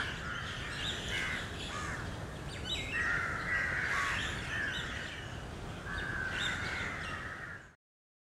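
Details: Crows at Lalbagh Park in Bangalore, noisy while grains are scattered among the flock: a chorus of rough, drawn caws rising and fading, over persistent background hiss, ending abruptly.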